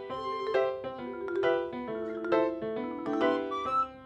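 A melody of bright piano or vibraphone notes, with no animal voices.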